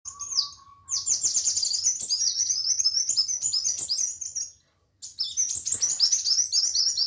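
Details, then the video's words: Sunbird of the wulung or muncang type, a fighter kept by bird hobbyists, singing fast high-pitched trilling chatter in long continuous runs with a brief pause, over a low steady background hum. "Kolibri wulung/muncang gacor fighter"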